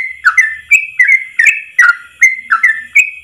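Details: Yellow-vented bulbul delivering its unbroken ropel song, recorded to teach other birds: clear warbled whistles dipping and rising, a fresh phrase roughly every half second, with faint low hum beneath.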